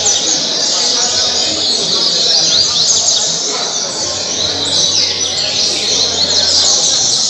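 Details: Coleiro in Angra dos Reis, Brazil, singing caribe song, recorded 2019–2020; shrill, rapid twittering with repeated slurred whistles, steady loudness throughout, faint hum below.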